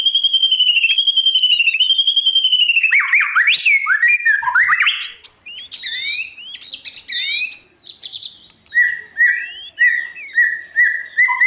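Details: Morning song of a white-rumped shama meant to train a young bird for singing contests: a long rapid trill, then varied looping whistles and high chirps, closing with evenly repeated short whistled notes.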